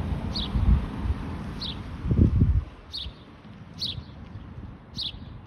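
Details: Michigan house sparrow chirping five times, short high notes at irregular gaps of about one second, with a burst of low rumbling noise early on.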